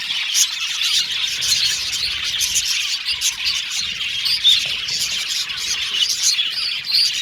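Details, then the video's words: Australian budgies in a steady happy chorus of high chirps and chattering trills, a few clear whistled notes rising above the overlapping, continuous tweeting. "Beautiful Cute Budgies Chirping Sound | Australian budgies Singing sound"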